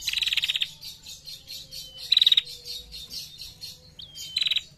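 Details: Female bar-winged prinia giving ngetir chatter: three bursts of fast, high, rattling ticks, the first and last longest, linked by a faint thin whistle and a quick upward slide, with soft high twittering in the background.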